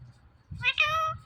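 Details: Pet parrot saying "Mithu": one short harmonic syllable, then a longer steady voiced note with many clean overtones, like a drawn-out spoken word, over faint low indoor background noise.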